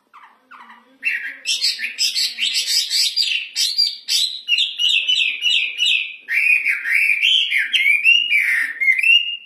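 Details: Hwamei, also called wambi, a kept songbird singing loudly; after a few soft low notes, a long, varied run of rapid warbled and whistled phrases, bright and clear, repeated almost two per second with changing pitch.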